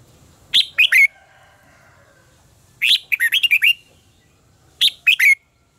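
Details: Red-whiskered bulbul in contest singing, played for training other birds: three bursts, short three-note phrases bracketing a longer rolling run of about seven warbled notes, each finishing in a clear whistle.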